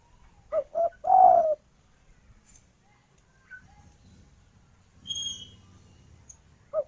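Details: Female spotted dove calling a male: one clear phrase of two short coos and a long falling coo, followed by low rumbling background noise and a few faint high chirps.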